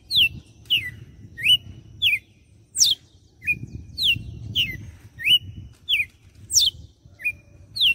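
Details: Singing Red-cowled cardinal from Fortaleza, Ceará, Brazil, whip-style song of six notes finished with a flourish: bright falling whistled notes in a quick run, high steep sweeps, and short rising notes, over a rumbling low background noise.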